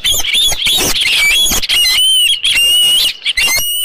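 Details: Osprey at a nest with a headless fish on 27 June 2018 near 12:48 PM; rough, overlapping shrill whistles and squeals blur together, with a clearer drawn-out whistled note midway.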